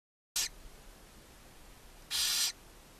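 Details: Barn owls at a chimney-side nest box in Ságvár, Hungary, May 4, 2024, as the mother feeds her seven owlets: a brief harsh hiss, then a longer breathy screech about two seconds later, over a faint steady background hum.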